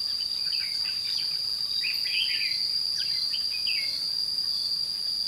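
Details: Red-whiskered bulbul fighting song during trapping in Thanh Liêm, May 2016: a run of bright, warbling, downslurred notes in the middle, all under a steady piercing insect drone.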